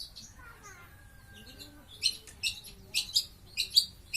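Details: Caged long-tailed shrike, recorded while being sunned, singing a 'grojogan' style song: after a quiet start, loud sharp high chirps come in short clusters, roughly every half second, with faint lower slurred notes beneath.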